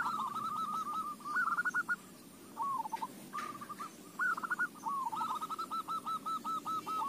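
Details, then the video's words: Zebra dove song played as a lure to set other doves singing: bursts of rapid, rolling cooing notes with tremolo phrases and short pauses between them, over a soft steady background hum. "AWAS KUTUTMU JADI GACOR !! Pancingan AMPUH"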